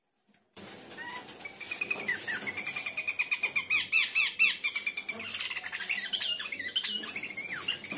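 Horsfield's babbler giving a fast series of bright chirping notes, thick with overlapping calls.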